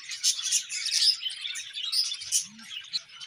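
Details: Budgerigar breeding pairs chirping: a dense, scratchy chatter of quick high chirps and warbles, steady throughout with brief louder bursts and no pauses.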